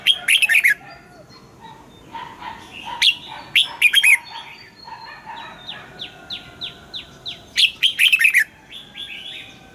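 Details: Red-whiskered bulbul kept in a cage, singing its morning song in the 'âm kép già rừng' double-note style for voice training: three loud chattering warbled phrases separated by quieter rows of descending whistled notes.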